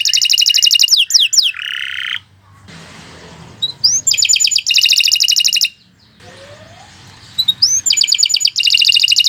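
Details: Canary in long 'gacor' song: bursts of fast, high, ringing trills and descending slurred notes, broken by two quiet gaps with faint background hiss.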